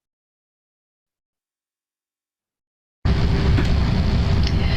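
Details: Three seconds of silence, then a sudden burst of loud low rumbling noise with a faint steady tone.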